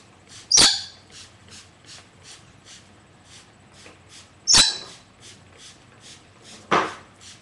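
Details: Pet galah (rose-breasted cockatoo) taking a bath gives three harsh, screechy shrieks spaced a few seconds apart, over a steady patter of faint dripping or tapping.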